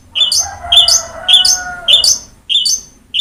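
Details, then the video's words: Long-tailed shrike singing to prompt a silent cage bird: sharp, ringing, rasping notes repeated about every 0.6 seconds over a faint, steady lower whistled tone. "BURUNG CENDET GACOR| Masteran Wajib Untuk Burung Cendet Malas bunyi"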